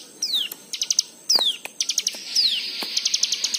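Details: White-eye song played as a lure to prompt other birds to sing: sharp high descending whistled slurs alternate with quick bursts of rapid ticking chirps, over faint hiss.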